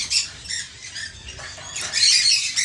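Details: One-legged rescued male Hahn's macaw, shy and newly arrived, being placed into its new cage; harsh, scratchy high squawks in short bursts, a louder cluster near the end, with faint handling noise.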